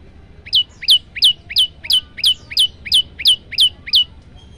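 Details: Long burst from a male olive-backed tailorbird: eleven bright, piercing chips, each sliding downward, repeated about three times a second in a very even series. Recorded on a phone as a lure for untrained birds.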